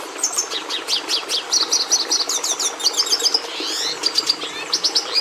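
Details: Song of the red siskin: a string of bright rising chirps leading into fast repeated notes and a buzzy downward phrase, with more twitters closing it, light hum behind.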